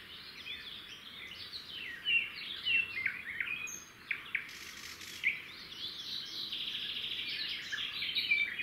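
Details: Wild red-backed shrikes at their nest near a road: the male hands over a grasshopper and the female feeds it to the young. Busy, high chirps and twitters run throughout, with a brief rustling noise midway.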